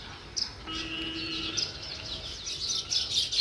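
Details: Sparrows chirping outdoors in nature, a steady mix of high, overlapping chirps and twitters with a brief low hum in the background.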